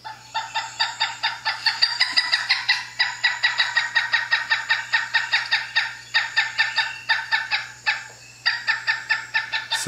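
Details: Pileated Woodpecker's long call, played for comparison with Northern Flicker: loud, ringing, clucking notes at about five per second in long runs with brief pauses, a faint low hum underneath; it also has a shorter, more outburst-like call resembling the flicker's.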